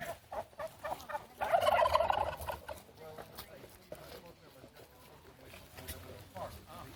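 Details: Turkeys showing off at Fort Edmonton Park in Edmonton: a burst of fast, bubbling gobbling lasting about a second, followed by occasional soft clucks and faint background chatter.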